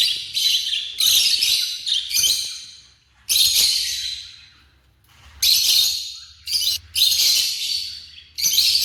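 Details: African lovebirds calling in shrill, scratchy high chirps, grouped into long busy bursts of two to three seconds separated by quiet pauses.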